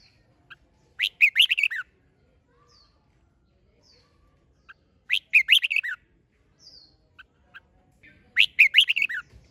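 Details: Red-whiskered bulbul in competition-style singing, meant to push birds into song. Three bright, choppy whistled phrases come roughly every four seconds, with soft single chips in between.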